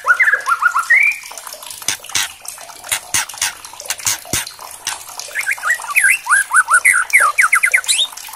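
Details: White-rumped shama, whose song is used as a challenge recording to provoke other shamas into singing. Quick whistled notes slide up and down in fast varied runs, set against a steady hiss like running water with scattered clicks.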